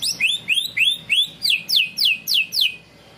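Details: Greater green leafbird song in the 'ngunci kenari' style, used as canary-locking training material: nine loud whistled notes, about three per second, four upslurred then five sharp downslurred sweeps, ending in quiet.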